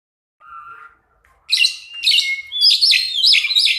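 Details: Two pied mynas singing. A soft whistled note opens, then after a pause come loud, harsh, chattering phrases mixed with high whistles and buzzy notes, roughly every half second.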